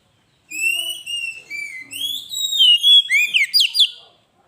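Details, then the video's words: Oriental magpie-robin (kacer) singing in gacor style, a training and lure recording: clear whistled phrases, some sliding upward and some falling, then a run of sharp, quick, rising notes near the end. The background is otherwise silent. "Suara burung Kacer gacor masteran pancingan suara burung kacer"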